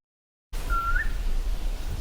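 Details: A Mountain Scops Owl, a bird of Himalayan evergreen forest that is hard to see and mostly detected by its call, gives one clear, sweet whistled note that lifts slightly at the end, over a steady low rumble.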